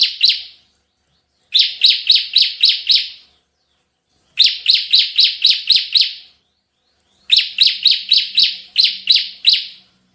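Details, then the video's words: Bar-winged prinia in loud bursts of about six to eight sharp, buzzy high chips, each burst lasting about a second and a half, repeated every few seconds. "suara tembakan CIBLEK GACOR"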